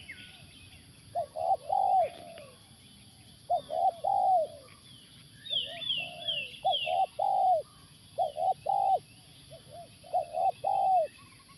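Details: A Spotted Dove at a factory site one morning, during dove luring, gives soft, mellow coos in phrases of two or three notes every second or two. Another bird adds a few brief high chirps midway.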